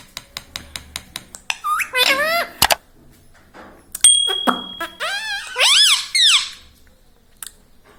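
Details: Talking pet parrot that repeats words like "Mummy" and "Papa": sharp taps and clicks, then two bursts of swooping, harmonic, speech-like phrases, with a short steady whistle between them indoors.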